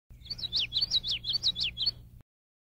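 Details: Male common yellowthroat singing while foraging in Illinois in May; about four rapid, repeated high phrases, each a quick rising note falling into a slurred downstroke, over a low steady hum.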